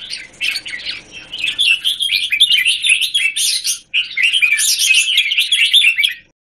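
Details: Jambul (red-whiskered bulbul) performing in a square A cage on 17 January 2019, giving fast, tightly packed chirps about four per second in two long runs, broken by a brief gap near four seconds.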